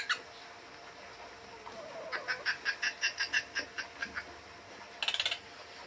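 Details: Wild bird approaching a person for food, wary of humans; a steady run of about twelve short, evenly spaced chattering notes, followed after a pause by a brief, dense raspy burst.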